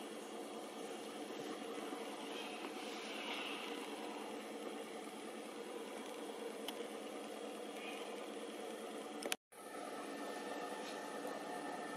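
Steady broadband rumble like an idling engine or passing traffic, with a brief dropout near the end and no clear animal calls.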